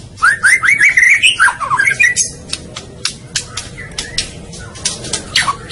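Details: Murai Batu (white-rumped shama) masteran song: quick run of rising whistled chirps, then spaced sharp clicks and ticks across the rest.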